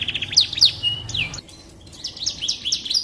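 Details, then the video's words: Canary song phrases meant for tutoring shamas: high sliding whistles and short trills, a brief quiet gap midway, then more thin upslurred notes, over a faint low hum. "Suara Burung Kenari Cocok Untuk Masteran Burung Murai Batu"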